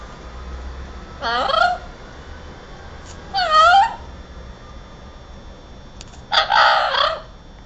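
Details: Parrot talking, recorded in 2009, giving three harsh, harmonic-rich vocal bursts roughly two to three seconds apart, each under a second long, over a low steady background hum.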